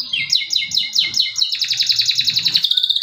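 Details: Lure song of a male canary, aimed at prompting silent or young canaries to sing: sharp down-slurred notes repeated about five times a second, then a dense, rapid high trill that ends in a steady whistle.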